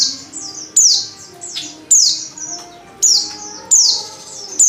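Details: Oriental white-eye female calling to draw males into singing: strong, high descending chirps, each swooping downward, given roughly once per second over faint background hum.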